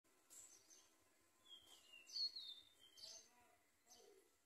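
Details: Yellow bulbul at the nest as a parent brings food to feed its babies; scattered thin high chirps and short whistled notes, with a brief brighter whistle near the middle, over quiet background hiss.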